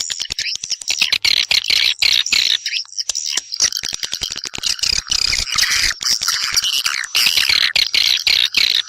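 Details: Swiftlets calling others to come and nest: dense, high-pitched chattering twitters layered with sharp clicks, broken by a short quiet gap near the three-second mark.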